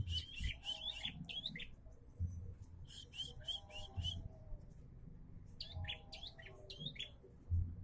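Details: Bar-winged prinia starting to sing more often: three bursts of rapid, sharp chirping notes with quick up-and-down sweeps, each burst lasting about a second, over a low steady hum.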